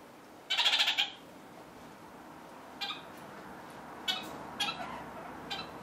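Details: Captive red-fronted parakeet eating bird pizza: one loud, harsh, harmonic squawk lasting about half a second, followed by several short, sharp chirps at irregular intervals over a soft indoor background hiss.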